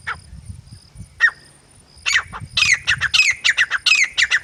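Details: A male and female grey francolin pair give scattered single squawks, then a rising series of rasping, rapid notes that grows dense and loud, over a low rumbling background.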